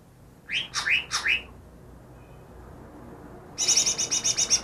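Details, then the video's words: Greater green leafbird, newly caught and said to mimic ten other birds, gives three loud slurred whistles dropping in pitch, silence, then a fast high rattling chatter that continues to the end. "burung cucak ijo yang bisa meniru 10 suara burung lain"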